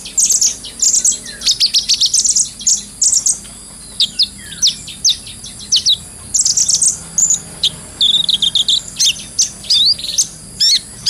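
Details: Brown-throated sunbird, or kolibri ninja, in a full ngobra song for tutoring cage birds. Rapid strings of piercing high chips alternate with brief pauses, and a short run of descending notes comes near the end.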